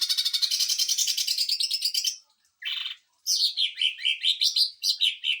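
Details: Greater green leafbird singing a 'sewing machine' burst style, used as tutor song and to provoke other birds: a fast buzzy rattling trill, a short harsh burst after a pause, then choppy chattering notes that rise and fall.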